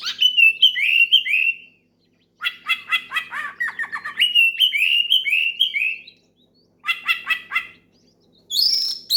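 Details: Loud oriental magpie-robin song meant to draw out a rival and set other birds singing; clear whistled slurs alternate with rasping, stuttered notes in three long bouts with brief gaps.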